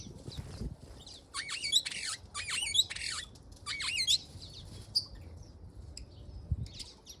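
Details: Water rails in a EurAfrican aviary during courtship display, calling: a run of shrill, strained squealing notes with sweeping, wavering pitch, clustered in loud bursts through the middle, then fading to scattered faint chirps and low background rumble.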